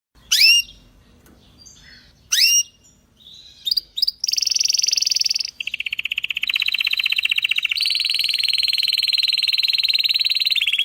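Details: Belgian canary singing: two sharp rising chirps, then a short burst of notes leading into long, even rolling trills, high and buzzy at first, then dropping to a lower steady roll and stepping up again near the end.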